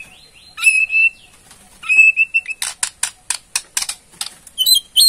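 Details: White-rumped shama (Murai Borneo) giving its ketrekan, a rattling call played to provoke a response: two high whistled notes, then a fast series of dry, sharp clicks and rattles ending in short squeaky notes.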